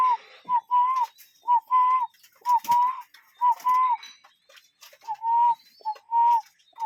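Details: Cuckoo calling in nature: a two-note call, a short note followed by a longer, slightly arched note at similar mid pitch, repeated about once a second, with faint background chirps.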